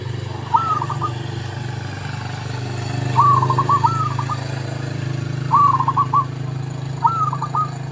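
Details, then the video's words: Lure song of a zebra dove: four spaced phrases of soft rising coos broken into rapid stuttering pulses, set against a loud continuous low rumble like passing traffic. "MP3 Pikat Merbuk/Perkutut"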